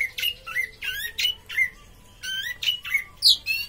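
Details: Kept orange-headed thrush uttering short, squeaky, slurred whistles in quick clusters, with a brief pause midway. The notes are lower and softer than its loudest phrases.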